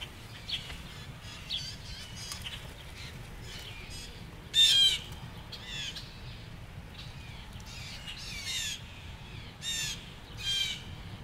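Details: Blue jays at Petrifying Springs Park, Somers, Kenosha County, Wisconsin, on 22 July 2024, giving harsh, noisy, scratchy calls in scattered bursts, loudest mid-clip, with fainter chirps of other birds behind.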